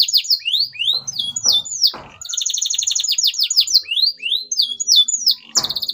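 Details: Canary song to get silent canaries singing again: repeated rising whistles, a fast double-toned trill and more upslurs, with faint low knocks and clicks in the background.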